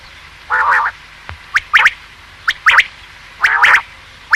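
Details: Male quail call used for hunting: a repeated pattern of a low, rough, buzzy note followed by a pair of sharp, clipped whistled notes, the set recurring roughly every second, with a clean background.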